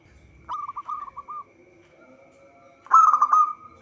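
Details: Zebra dove (perkutut lokal) song used as a trapping lure: a quick run of about eight clipped, hooked coos, a quiet gap, then a loud vibrating trilled burst, with a low steady hum in the background.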